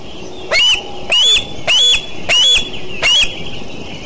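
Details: Eagle at Decorah on a beautiful morning, 29 June 2012: five loud, harsh squealing calls, each sliding upward, given about every 0.6 seconds over a low steady outdoor rumble.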